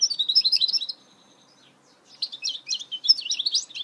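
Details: Mule goldfinch song: a dense stream of bright, twittering chirps, then a brief near-silent gap with one thin drawn-out note, then another rush of fast, tinkling warbles.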